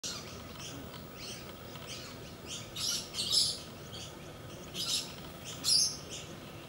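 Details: A pair of galahs playing, giving short harsh broadband screechy bursts at irregular intervals, louder bursts near the middle and end, over a low steady background hum.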